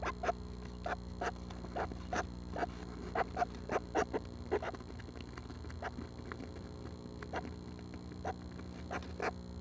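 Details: At 6 am on June 12, seven baby Northern Flickers nearly ready to leave the nest give soft, repeated raspy notes, about two a second and fading later, over a faint steady hum.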